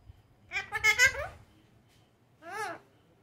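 Indian ringneck parakeet talking: a quick run of nasal, speech-like syllables, then a short wavering phrase a second later, in a small quiet room.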